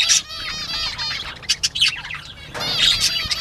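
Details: Bobwhite quail at play, 19 April 2017, 10:13 AM: a burst of high, harmonic-rich chirps opens the recording, then scattered short notes, then a second dense run of bright, overlapping calls near the end.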